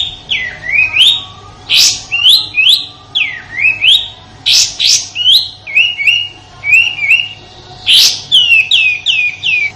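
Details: Sooty-headed bulbul singing its rough 'shooting' song, used in Indonesia as master song for white-rumped shamas: rhythmic string of V-shaped swooping whistles, about two per second, broken by harsh broadband bursts.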